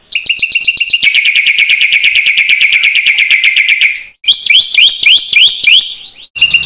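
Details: Black-winged myna song used to prompt other mynas to sing: a long run of rapid harsh chirps at a steady pitch, about four per second, then higher clipped notes rising in quick repeated pairs.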